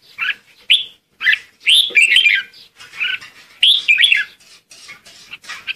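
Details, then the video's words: Red-whiskered bulbul lure song meant to call the flock: lively slurred whistles and warbled phrases in quick bursts, several notes rising and falling sharply. "Chào mào hót gọi đàn | Tiếng chào mào mồi hót gọi đàn hay"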